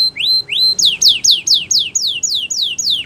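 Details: Training song of a canary: two rising upswept whistles followed by a steady series of loud descending swoops, roughly three per second.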